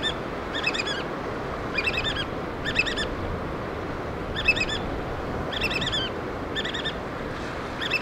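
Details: Piercing piped whistles from black oystercatchers bringing food to chicks, delivered in about eight rapid clustered bursts spaced irregularly, with a constant low rush of surf beneath.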